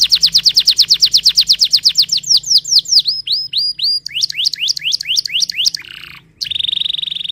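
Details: Canary singing a varied, fast song: a long run of rapid repeated high sweeping notes, then slower falling and rising slurred notes, a short pause, and a steady buzzy high trill at the end.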